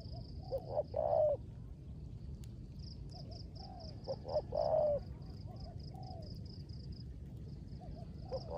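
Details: Kept decoy spotted dove in the rain, cooing in the 'rước gù' manner: two phrases several seconds apart, each short low notes then a drawn-out falling coo, with quieter notes between and a continuous high pulsing background.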